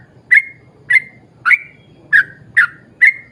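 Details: Lure recording of a singing yellow-vented bulbul meant to trigger other bulbuls: six clear, bubbly, slightly falling whistled notes, evenly spaced about every half second, over a soft low rumble.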